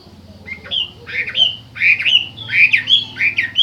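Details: Chinese hwamei singing: loud, slurred whistled phrases, rising then falling and sometimes harsh, delivered in quick bursts about every half second, over a steady low hum.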